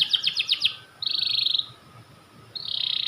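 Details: Panda canary, a white bird, sings a quick run of five pulsed chips, then two sustained high buzzy trills separated by a short silence.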